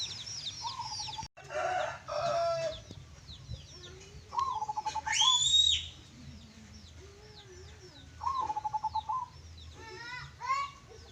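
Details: Local zebra dove singing in the songgo geni bedah bumi style with a klongklung voice: short beaded, pulsing coo phrases repeated a few times, among many high twittering birds and a low steady hum.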